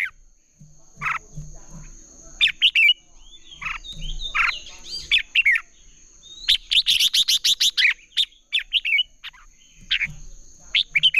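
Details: Red-whiskered bulbul competitive fighting song, used to train and stimulate captive birds: loud, liquid chirping phrases and a quick burst of repeated notes, with a thin steady high whine throughout.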